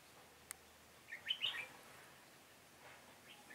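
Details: Red-whiskered bulbul used as a trap decoy to lure wild birds, Hòa Bình, Vietnam, 18 November 2017. One brisk, bright warbling phrase of a few quick notes, otherwise quiet with a faint click.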